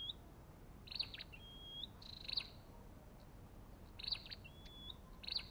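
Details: Spaced Olive-backed tailorbird calls: loud sharp chip notes and a drawn-out, high whistle that rises at the end, repeated after a gap of about three seconds.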